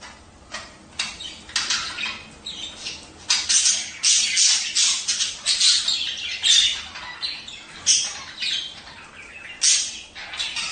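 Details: Budgerigar breeding chatter used to get pairs mating and laying eggs: a dense run of rapid scratchy squawks and clicks, repeated over and over without clear pauses.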